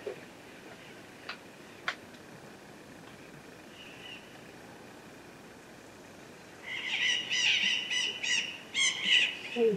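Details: Blue-winged macaw pair in flight over a mountain foothill in the Bahia sertão, Brazil; after quiet background with a few faint clicks, a run of hoarse, grating screeches starts suddenly and repeats quickly until the end.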